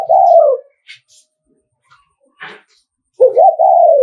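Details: Spotted dove of the Nghệ An type giving thúc gù cooing used to provoke rival males: two loud, low, hoarse coo phrases, each slurring downward, separated by faint chirps and small clicks.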